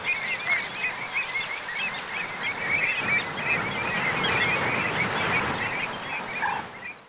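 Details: Pied avocets at their nesting site in the Séné marshes nature reserve, Morbihan, on 29 April 2024: a dense, continuous chorus of short, clipped, overlapping calls from many birds, over a steady background rush.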